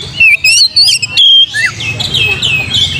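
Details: Oriental magpie-robin delivering a lure song: strong, high whistled notes and slurs in rapid separate bursts, followed by a softer background chorus of small birds twittering.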